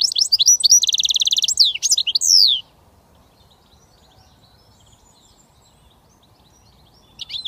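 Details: Goldfinch mule hybrid, a British finch, singing a short burst of rapid high twittering notes with a fast buzzy trill in the middle, then falling silent for several seconds before a brief restart.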